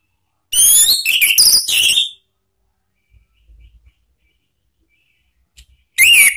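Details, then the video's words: Orange-headed thrush lure song for training caged birds, in "ngeplong" style. A fast phrase of high, sweeping whistles and twittering notes lasts about one and a half seconds, and another phrase starts near the end. "memancing ANIS MERAH BUNYI NGEPLONG ¦ PANCINGAN KICAUAN ¦ NGERIWIK"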